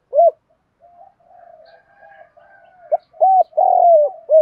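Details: Spotted dove coos, from cock and hen, used to stimulate doves during training: one sharp coo, a long soft rolling passage, then three strong arched coos in close series, one long and broad.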